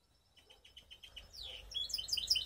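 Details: Baster canary hybrid in Skopje: a row of soft evenly spaced chips building into loud, high, bubbling rapid trills that grow stronger toward the end.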